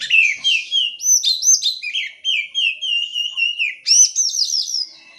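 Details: Lure song of an oriental magpie-robin meant to get silent birds singing: a long run of clear, sliding whistled notes held at a steady pitch, then a bright, rapid, higher phrase of looping notes.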